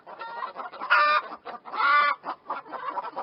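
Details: Short clip of chickens clucking, two louder drawn-out squawks amid rapid softer clucks.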